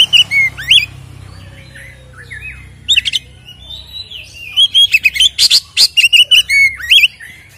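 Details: Oriental magpie-robin in full fighting song with ngeplong fill, used as a lure to provoke other magpie-robins: sharp curling whistles and upslurs, then a dense run of loud clipped notes, repeated rapidly with short pauses.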